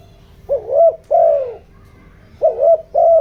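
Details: Caged spotted dove used as a decoy, cooing in the 'giọng đồng' style to lure wild doves. Two phrases of rounded, throaty coos: a short rising note, then a longer drawn-out falling one. Low hum in the background.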